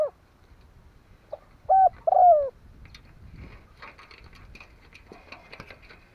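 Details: Spotted dove decoy luring wild doves gives a single phrase of short and long falling coos early on, followed by faint chirping and rustling background sounds.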